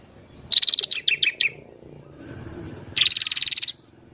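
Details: A sooty-headed bulbul in busy morning song, used as a lure for wild birds: a buzzy chattering rattle breaking into descending notes, then after a short gap a second long, even buzzing trill.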